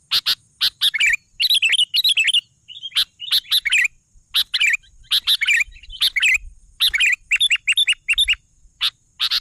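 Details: Sooty-headed bulbul in busy song, dense bursts of sharp chips packed together with frequent bubbling, wavering warbled phrases, pausing only briefly between flurries.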